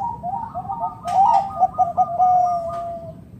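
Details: Zebra dove of local stock, kept to entice other doves to call, delivering a run of quick soft coos that blur into a longer wavering note, with a sharp knock partway through.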